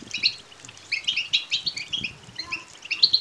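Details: European goldfinch chicks giving begging calls, played to stimulate males to sing and mate; bursts of high, scratchy chirps in rapid clusters with short pauses, faint low thumps beneath.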